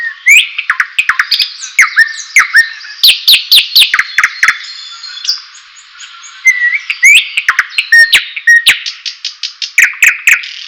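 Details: White-rumped shama singing, offered as material for training and stirring a bird's excitement: sharp clicks and short whistled downslurs repeated in quick bursts, with a brief pause midway and a clean, quiet background.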